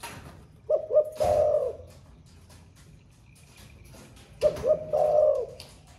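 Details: Spotted dove with the 'thổ pha' cooing style, newly come into song and cooing all day; two soft coo phrases about three seconds apart, each two short notes then a longer rolling coo, over faint hiss.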